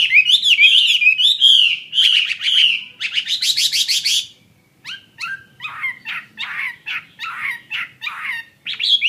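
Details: Caged Chinese hwamei of the fighting type, singing loud, rich phrases: rolling whistled notes and rapid buzzy trills, a brief pause near four seconds, then a run of sharp, clipped, repeated notes rising back into whistles.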